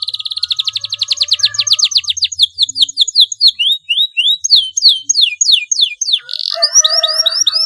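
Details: Young canary practising its song and beginning to roll: a rapid buzzy trill of quick falling notes, slowing into separate sweeping chirps, then a varied burst with lower steady whistled tones.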